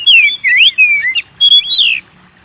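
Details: Oriental magpie-robin (kacer) singing energetically, a recording used as a lure to get kept birds singing; loud, clear whistled notes slurring up and down in quick phrases with short gaps, ending in a quiet background.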